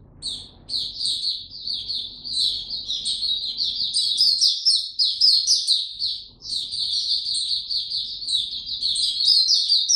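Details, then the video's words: Caged white-eye starting its song, recorded 29 April 2022 while given no supplements: long bursts of fast, shrill twittering and sweet trills, one short silence partway, with faint low room noise beneath. "Mata Puteh Hercules buka sing"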